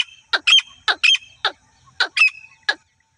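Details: Female grey francolin hunting call: a few rasping notes, some doubled, spaced irregularly, ending with a single harsh note and quiet.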